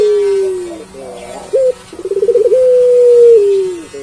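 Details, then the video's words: A puter pelung collared dove calls repeatedly: the end of a falling coo, then a short clipped note, a rapid pulsed roll, and a long level coo drooping at its tail. A low background hum is present. "Burung Puter Pelung Gacor Bunyi Terus"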